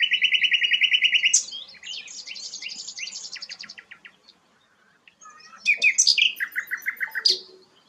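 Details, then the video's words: A sikatan londo flycatcher in full song sings a fast run of bright, evenly repeated notes, then varied trills and sharp high chirps after a brief pause. "burung sikatan londo gacor"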